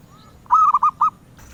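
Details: Zebra dove, a bird prized by collectors, giving one rapid cooing phrase of about five soft, rolling notes at a steady middle pitch, packed into about half a second, over a quiet background.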